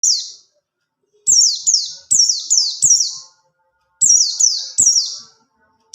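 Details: Pleci buxtoni white-eye singing its 'ngalas ngerol' rolling style, used as a master song for training other birds. Bursts of three or four high, sharp, descending whistled notes, rapidly repeated, separated by short silences; faint clicks beneath.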